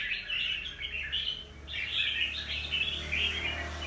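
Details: Wild-caught young red-whiskered bulbul recorded 25 December 2023 gives twittering warbled phrases over a low steady hum, with a brief quieter gap midway.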